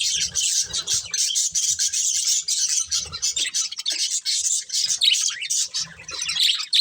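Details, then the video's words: Several colourful budgerigars at their food keep up a busy, high, scratchy chatter of rapid chirps, with brief low rubbing and knocking sounds underneath. "Colourful Budgies Chirping Sounds"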